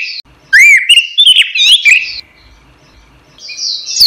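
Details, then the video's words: Orange-headed thrush, a caged songbird in full song, used as a training recording for other caged songbirds; rich, clear whistled phrases that slur up and down, one loud burst followed by a quieter rising phrase. "suara burung anis merah | gacor | masteran"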